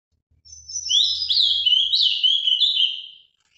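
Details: Ultramarine grosbeak in captivity in Brazil, singing in the Paraná style: one continuous rich warble of about three seconds, quick zigzagging notes dipping and rising, with a faint low hum underneath.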